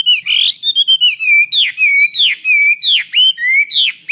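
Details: Vigorous Chinese hwamei song used to tutor kiacu birds: rich, loud whistled phrases that swoop up and then hold steady, some sliding down, delivered in a quick, uneven run of bright notes.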